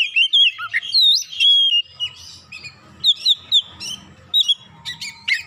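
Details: Oriental magpie-robin roused by one provocation and singing its isian: loud looping whistles and slides for nearly two seconds, then a pause with faint twitters, then further bright chirped phrases and sharp notes.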